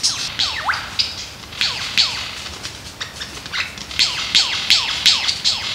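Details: Male lyrebird in Australia dancing to attract a mate, singing rapid descending whistled sweeps and sharp high clicks in a steady repeating run.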